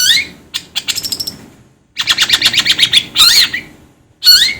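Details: Long-tailed shrike: a fast run of short ticking notes, a pause, then a rapid stuttering chatter of about a dozen raspy pulses, followed by loud harsh squawks with bending pitch.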